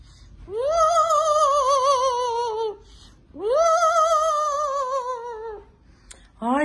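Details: Pet parrot imitating opera singing indoors: two long sustained tones with strong vibrato, each swelling then sagging slightly over about two seconds with a pause between, followed by a woman's voice.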